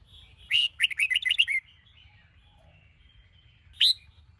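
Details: Caged red-whiskered bulbul, Sông Kôn type, singing during morning training: a fast string of clear warbling notes lasting about a second, then a long quiet gap and one sharp rising whistle.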